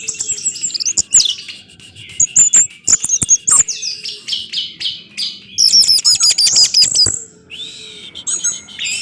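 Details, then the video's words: Lure song of the orange-headed thrush meant to get other thrushes singing: rapid, high chattering trills and thin piercing whistles in quick-fire bursts, with a long ringing stuttered series near the end and short pauses between phrases. "ANIS MERAH Macet Bakalan Ikut NGeplong bahkan Teler Dengan Suara Ini, Kecuali ANIS MERAH Betina"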